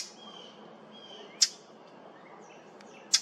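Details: On 8 July 2023 at Maple Groves Cemetery, a Brown Thrasher makes an unfamiliar sound: two sharp, dry smacking notes about two seconds apart, with faint thin whistles from other birds in the background.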